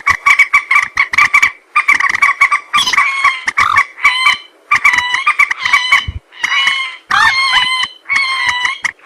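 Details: Common moorhen voice used for hunting: rapid clipped notes at first, then longer, more nasal squawks with wavering pitch, delivered in separate bursts.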